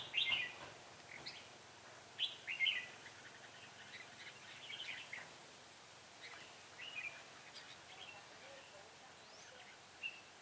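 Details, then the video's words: Red-whiskered bulbul used as a decoy while trapping wild birds outdoors, recorded 6 December 2016: short warbled chirpy phrases sung every two to three seconds, fairly faint against steady background hiss. "Bẫy chào mào giọng hay mau mỏ"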